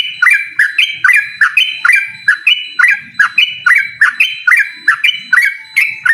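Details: Rival-challenging 'ropel' song of a yellow-vented bulbul: crisp whistled notes, each a quick downward snap into a short steady tone, repeated about twice a second in alternating pitch, with faint low scuffling underneath.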